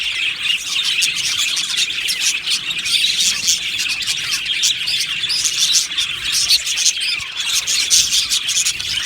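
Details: Colony of Australian budgerigars in an aviary, many birds singing and chirping at once: a dense, continuous wash of high, rapid chirps and warbling twitters with no pauses.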